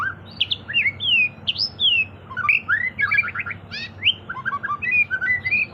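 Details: White-rumped shama in energetic 'gacor' full song, played to prompt other birds to sing: fast, varied run of bright whistled notes, sweeping slurs and quick trills packed closely together over a low steady background hum.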